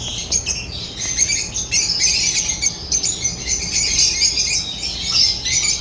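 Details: Chattering African lovebirds give a continuous stream of sharp, high-pitched chirps and squeaky squawks in quick irregular bursts, several notes overlapping, with a faint low background hum.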